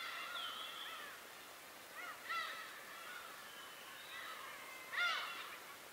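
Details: Birds on Tobishima: loud harsh arching calls stand out near the second and fifth seconds over a steady chorus of many similar calling birds.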